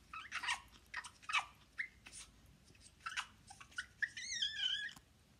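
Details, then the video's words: Pet parrot, playful and clever, gives scattered short whistled chirps and clicks, then ends with a longer wavering, warbled whistle that rises and falls, indoors with little other sound. "มูเล่อร์ ซุกซน.11"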